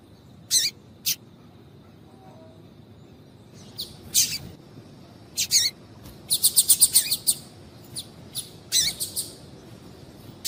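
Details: A female double-collared seedeater calls to stimulate the male; scattered high chips at first, then a rapid, evenly spaced burst of thin notes, followed by more irregular sharp chirps.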